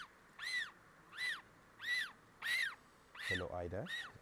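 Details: African penguin chicks at nests in a Cape Town colony give high, squeaky arched peeps, about six quickly, in the evening of 20 July 2022; their calls differ from adults' donkey-like calls; brief low human voice near end.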